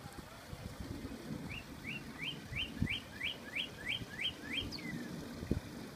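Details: A northern cardinal behind a deck sings a fast series of about ten clear, sharply upslurred whistles, ending in a longer downslurred note, with low traffic rumble beneath.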